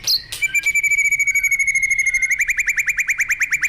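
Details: Energetic white-rumped shama from Indonesia holding a long clear whistle, then breaking into a fast string of repeated upswept chirps, around three per second, loud and ringing.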